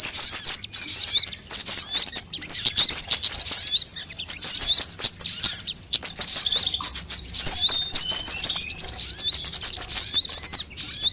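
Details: Sunbird sounds played as a lure to make birds sing: very high, thin, rapid twittering with fast trills and short, sliding whistles, nearly continuous with brief pauses.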